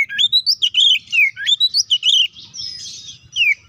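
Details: Fighting song of an Oriental magpie-robin, played to agitate rival birds: fast, varied whistles and slurred twittering notes rising and falling, with a brief rough, buzzy passage near the end and low background rumble.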